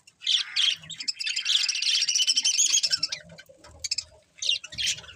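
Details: Budgerigars chirping: a dense, rapid warble of high chirps and squeaky notes runs for about three seconds, then a pause and a few short bursts of chatter, with faint low rustling underneath.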